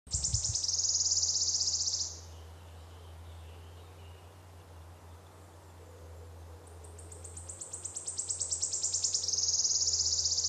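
Wood warbler: very high, sharp notes speed up into a dry, shivering trill, given twice; a low steady hum runs underneath.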